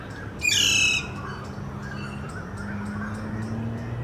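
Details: Alexandrine parakeet recorded in Kolkata, India, giving one loud, harsh, nasal squawk lasting about half a second. A quiet stretch with a low background hum follows.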